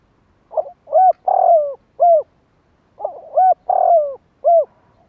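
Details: Spotted dove calling to stimulate other doves. Two matching phrases of low coos: a short lead-in note, a clipped coo, a drawn-out falling coo, then a final short coo, separated by about a second of quiet.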